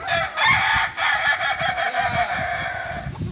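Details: A Kukuak Balenggek chicken crows continuously at a shared training session in Ampang Kualo, Solok city, a dense chain of quick, bright, undulating notes over a steady low rumble and background noise.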